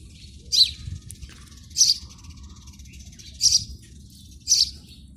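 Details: Chirping house sparrow at a PVC pipe nest: four loud, sharp chirps spaced roughly one to one and a half seconds apart, with a faint low hum throughout.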